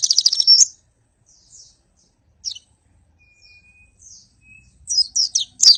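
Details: Oriental white-eye singing in the rapid 'nembak' style, recorded as a tutor for songbirds: a fast high twittering burst opens, then scattered thin chirps and a faint level whistle, then closing bursts of quick sharp high notes.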